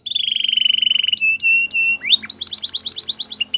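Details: Canary training song: a fast rapid trill of whistled notes, then steady whistled tones, breaking into a quick series of bright repeated rising-falling syllables.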